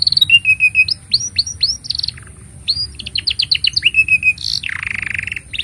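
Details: Singing canary, a master song for teaching young birds and coaxing quiet ones: flat whistled notes in a row, quick upswept slurs, a rolling series of chirps, then a loud buzzy rasp near the end; faint constant high tone.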